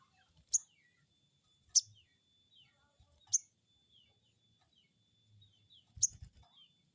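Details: Crested jay call played as a lure to stimulate another bird to answer: a few sharp, high chirping notes at uneven intervals, some trailing into short descending slurs, with faint low rumbling noise in the background.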